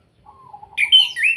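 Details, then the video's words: Orange-headed thrush from Salatiga in kretekan style, meant to provoke other birds into singing: a low wavering whistle, then a sudden loud burst of sharp, high, slurred notes. "Pancingan Anis Kembang Agar cepat bunyi, suara kretekan Ampuh dan Plong, Pancing emosi"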